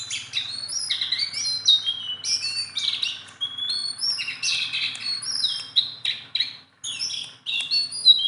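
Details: Tame, hand-friendly Sunda bulbul singing a long run of varied high whistles, slurred upward and downward notes and rapid chirps, almost continuous with one short break near the end.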